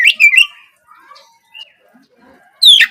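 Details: Oriental magpie-robin, spotted 'trotol' form, still untrained, gives a morning lure song to draw other birds into singing. A short burst of sweeping whistles is followed by a quiet gap with faint notes, then one sharp descending whistle.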